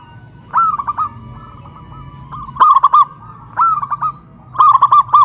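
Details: Two caged local zebra doves in Kuningan, West Java, Indonesia, a big voice and a crystal voice, sing loudly after being hoisted up a pole: four rolling coo phrases, each opening with a rising note and breaking into quick bubbling beats.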